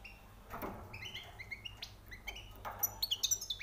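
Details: Recently trapped goldfinch giving high song notes: a few soft chirps, then a quickening run of sharp, tinkling twitters near the end over a low background hum.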